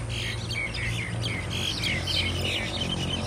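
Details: A group of mynas fighting in Thailand, giving a continuous jumble of scratchy chirps, squawks and short whistles from several birds at once, over a constant low-pitched hum.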